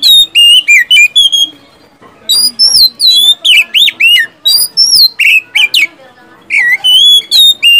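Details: Oriental magpie-robin pouring out loud song as a lure for silent magpie-robins: rapid strings of ringing whistled notes, some slurred up and down, broken by one brief pause.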